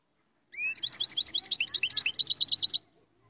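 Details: European goldfinch of the Moroccan royal type opens with a drawn-out rising whistle, then pours out a fast, dense run of high, tinkling twittered notes for about two seconds.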